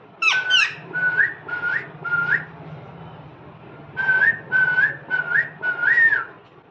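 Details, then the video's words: Parrot opening with two sharp chirps, then repeating a short, level whistled phrase that ends in a slight upward flick, in two groups separated by a pause. "Parrot sound Parrot talking"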